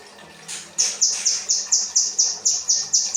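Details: Kinoi bird singing rambatan-style material for training cage birds: after a faint start, a steady run of high, piercing, descending notes repeated roughly every quarter second.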